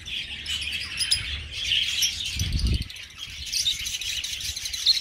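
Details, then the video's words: Colony of budgerigars in an aviary keeps up a busy, high warbling chatter with scattered squeaks, and one brief low thud midway. "Australlion Budgies"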